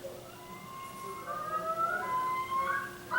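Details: Common Loon yodel, a territorial call warning other loons off its lake: clear, ringing wailed notes that climb and swoop in quick repeated phrases, with a faint steady hum underneath.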